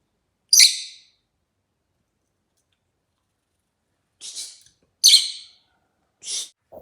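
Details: Rosy-faced lovebird, described as very chatty, chirping: a loud sharp chirp, a pause, then a quick run of three or four chirps, some softer and buzzier, at the end.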